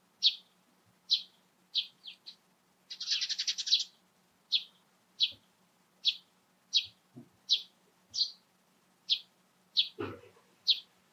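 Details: In the morning, a Eurasian tree sparrow gives bright, high chirps at a steady pace of roughly one and a half per second, with a brief chattering burst and a short lower swoop near the end.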